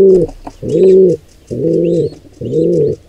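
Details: Wild pigeons at a nest as an intruder pair attacks a nestling squab: low, throaty cooing notes with harmonics, four drawn-out pulses at roughly one per second, with faint higher chirps above.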